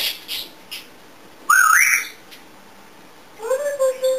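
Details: African grey parrot kept as a pet, known for mimicking many sounds: faint clicks, then a loud wavering rising whistle, a pause, and a lower level whistled phrase.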